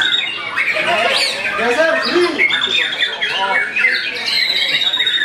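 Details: White-rumped shama starting to fight back against a rival, singing a dense stream of varied whistled and chattering phrases, with rapid sweeping notes and some lower arched notes mixed in.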